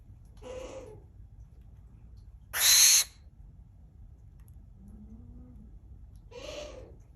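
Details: Barn owl kept at a Tokyo owl cafe in Japan: one loud, rasping hiss-like screech in the middle, framed by two softer, breathy calls with a slight tonal edge, plus a faint low whine; steady indoor hum.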